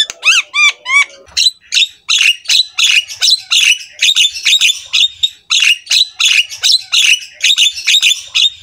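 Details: Black-winged myna master song for training lazy mynas: opens with a few clear upslurred whistles, then a fast, steady run of harsh, chattering squawks repeated without pause.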